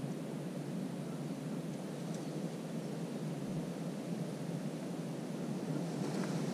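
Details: Steady low rumbling background noise throughout, with no clear animal call heard.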